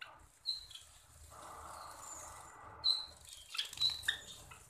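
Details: A pet Java sparrow gives short, high, clipped chirps and a few squeaky notes at irregular intervals, with a low hum and faint rustling behind.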